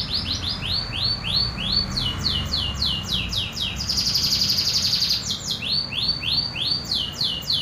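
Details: Local canary in pure original song with no learned fill-ins, delivering rapid series of rising chirped notes, a long rattling trill in the middle, then resuming the quick upward-sweeping repeated notes against a low background hum.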